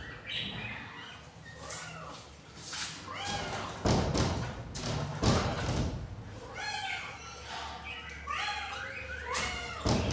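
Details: Hungry budgerigar chicks on day four after hatching, three out of eight eggs hatched; rapid series of arched, rasping squeaks with several loud thumps and knocks in between.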